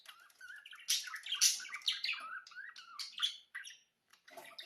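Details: Budgerigar birds warbling in quick, busy phrases, mixing scratchy chirps with brief sliding whistles, then a short pause before soft chatter resumes.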